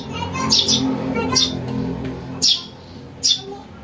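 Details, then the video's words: House sparrow chick calls, a recording used for luring birds: four sharp, high, harsh chirps spaced about a second apart, over a steady low hum and faint tonal background sounds. "Suara anak burung greja untuk mikat | masteran"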